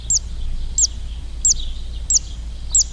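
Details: Zitting cisticola heard at a marsh in front of a bird center, played back to share: a sharp high 'chit' note repeated evenly about every 0.65 seconds, five notes over steady low background hum.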